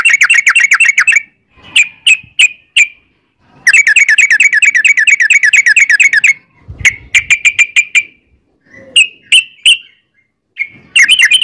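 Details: Yellow-vented bulbul with long rapid trills: rattling runs of quick repeated notes alternate with scattered single chirps and short gaps, ending in another fast burst.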